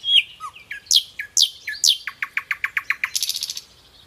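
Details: Nightingale heard live, opening with slurred whistles and loud downswept notes, then about a dozen evenly spaced sharp notes before a short buzzy trill fades out.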